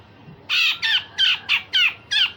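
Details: Grey-cheeked bulbul delivering coarse, rasping notes meant to train other songbirds: six loud, harsh, buzzy bursts, evenly spaced about every third of a second.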